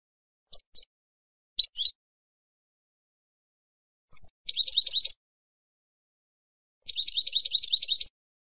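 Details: A female European goldfinch, calling to stimulate a silent male to sing, gives paired sharp high chirps, then two separate bursts of fast, buzzy twittering notes with long silences between them.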